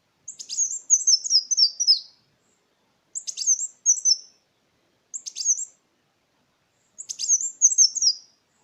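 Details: Sunbird known locally as Kolibri Wulung, singing a lure song to stimulate silent birds and tutor other songbirds; four bursts of very high, stuttering notes stepping downward, separated by short gaps, no other sounds.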